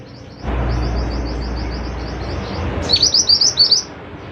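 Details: Scarlet minivet, or mantenan, in vigorous song: fast run of high, thin, descending notes over low rumbling background noise, ending with a louder burst of about six sharp downslurred whistles.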